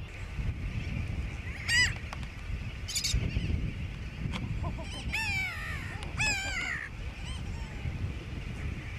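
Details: Grey-backed tern recorded on Johnston Atoll on June 16, 2001, giving scattered harsh, downward-sliding cries, with a brief call early and a cluster of overlapping calls midway, against persistent low wind noise.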